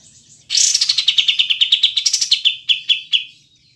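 Cotton pygmy goose giving a fast, cackling run of about sixteen high, clipped notes that slows into a few spaced notes at the end. The background is quiet.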